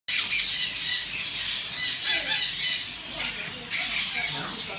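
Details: Hand-reared pet peach-fronted conure giving harsh, raspy, high-pitched squawks in quick repeated bursts, several per second, loud and close.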